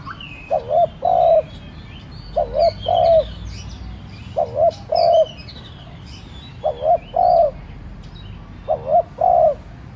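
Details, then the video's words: Spotted dove kept as a decoy, cooing to prompt rival doves to answer; five repeated two-part phrases, a quick wavering coo then a longer steady one, against busy chirping of other small birds. "cu gáy mồi cây thúc nhẹ kích cu bổi dễ gáy. tiếng cu đất gáy thúc"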